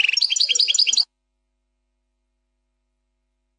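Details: European goldfinch singing plak mine style song, fourth section: about one second of quick repeated chirps and liquid twittering, then silence, with the song starting again at the end.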